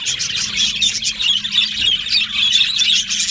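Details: Yellow male budgies in an aviary colony giving dense high-pitched chirping, quick squeaky notes tumbling over each other several times a second, with a faint low hum beneath.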